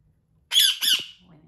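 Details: Pet Indian ringneck (rose-ringed) parakeet named Milo, a talking bird, gives two harsh, raspy, high-pitched screeches back to back, each about a third of a second; he screams when told no, from an older recording.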